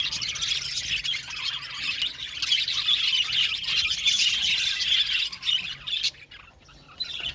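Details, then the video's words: Budgerigars chirping together in an aviary colony, a dense continuous chatter of warbling and squawky notes from many birds, fading briefly near the end. "budgies chirping sound"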